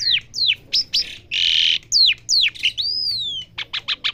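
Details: Asian pied starling trained to learn sounds, delivering down-slurred whistles, a long harsh rasping note, a drawn-out descending pure whistle and a quick burst of clipped buzzy notes.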